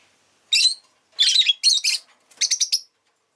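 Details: Pet rosy-faced lovebird chirping: four loud harsh, buzzy bursts of rapid chirps, the last a quick series of five short notes, with quiet pauses between.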